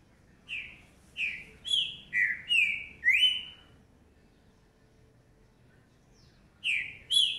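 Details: A young green-winged saltator, a 2019 fledgling, sings a quick run of six rich, slurred whistles, some rising and some falling, then pauses and gives two more notes.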